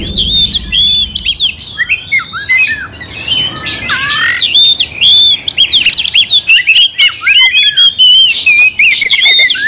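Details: Oriental magpie-robin (kacer) in aggressive provoking song: long stream of loud varied whistles, zigzag phrases and sharp clicks, becoming denser toward the end, with faint low noise at the start.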